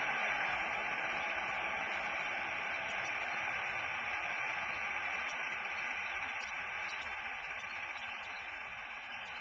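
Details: Steady broadband hiss like radio static, with faint thin tonal lines high up and no animal voice, slowly fading toward the end.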